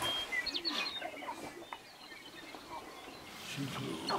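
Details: A sharp-tailed grouse dancing in a meadow near Burwell, Nebraska, gives a busy jumble of clucks, squeaky chirps and short whoops in quick succession, with thin whistles of other birds above.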